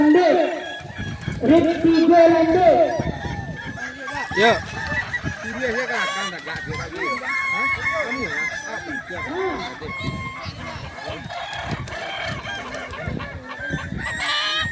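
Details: Balenggek roosters at a crowing competition in Danau Bawah, Solok Regency, on 6 October 2024: a loud, drawn-out harmonic crow opens the recording, then a dense chorus of overlapping distant crows and voices fills the rest.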